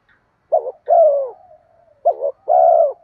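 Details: Spotted dove cooing as a lure for wild doves: two low coo phrases, each a short wavering double note then a longer, drawn-out coo that slurs downward, with a faint trailing hum between phrases and no other sounds.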